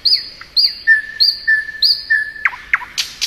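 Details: Thrush nightingale singing in spring: a series of clear high whistles each slurring downward, then a sustained lower whistled phrase of repeated notes, ending in sharp clicking chips and a burst of buzzy high notes.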